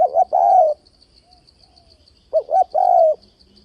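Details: Spotted dove used as a trap lure, calling with shifting voice: short hoot and long falling coo, then a second phrase of two quick notes and a drawn-out coo, steady insect pulsing overhead.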